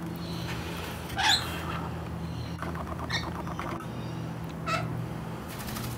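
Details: Four lorikeets on a windowsill in the evening, two bullying the others away, give three short, harsh screeching squawks spaced about every one and a half seconds over a steady low hum.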